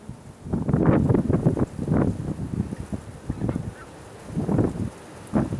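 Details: A small group of bean geese, identified as Tundra bean geese (Anser serrirostris), on Texel, Netherlands, on 28 December 2012, gives deep, nasal honks in short overlapping bursts, several birds calling irregularly about once a second, then briefly quieter.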